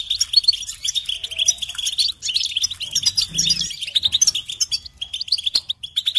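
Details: Goldfinch song in a steady flow of bright, jingling chirps and buzzy trills, dipping briefly around two seconds before resuming. A short low hum is heard in the middle.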